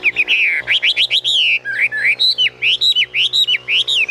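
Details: Caged Chinese hwamei in full, rich song: a rapid, varied flow of bright whistled notes that rise, fall and loop, barely pausing. A low steady hum runs in the background.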